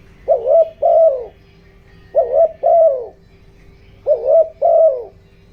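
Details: Spotted dove decoy bird in the 'giọng đồng' voice style, calling to excite wild doves. Mellow low coos: a double-humped note and then a longer falling coo, phrase repeated three times about every two seconds, over a faint steady hum.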